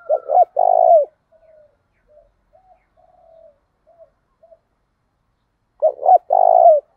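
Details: Lure spotted dove with a 'thổ đồng' voice, calling to spur rivals into a fight. A low phrase of two clipped coos and one long coo opens and closes the stretch, with faint scattered soft notes between.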